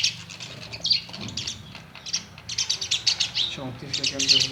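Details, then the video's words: Myna from India chirping at a mirror inside a house: scattered scratchy chirps and squeaks in short bursts, with a brief low human voice murmur partway through. "Indian Bird Maina chirping and waching mirror"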